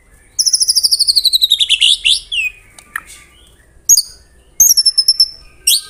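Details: White-rumped shama (murai batu) in the 'tembakan rapat' song: a quick string of about fifteen high, descending whistled notes, a lower slurred phrase, then short sharp bursts after pauses.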